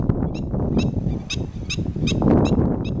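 A Black-winged stilt gives sharp, nasal yelping notes, about two each second, over a steady low rumble of wind or distant noise.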